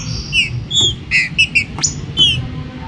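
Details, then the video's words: Green-winged saltator in a 2022-season warm-up recording meant to rouse other saltators gives clear, rich whistled notes in short separate phrases, some slurred and rising, over a low background rumble. "trinca-ferro ESQUENTA"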